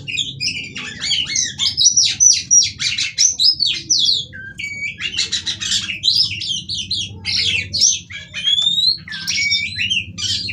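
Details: Female kacer, the Oriental magpie-robin, calling energetically as singing therapy for other birds; rapid bursts of scratchy, squawky and whistled high notes in quick runs, over a steady low background hum.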